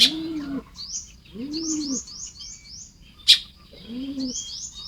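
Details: Nest-building Baya weavers at Lopburi, Thailand, recorded on the morning of 1 May 2026, give runs of short buzzy rising notes in quick series and one sharp chip. A dove-like bird's low arched coo recurs three times.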